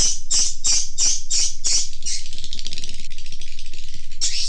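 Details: A call used by swiftlet farmers to lure swiftlets: loud, shrill chirps pulsing about three per second, then a buzzy twittering stretch before the chirps resume.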